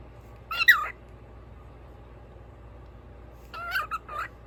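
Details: A lutino pied cockatiel gives two short, harsh, squawky calls a few seconds apart.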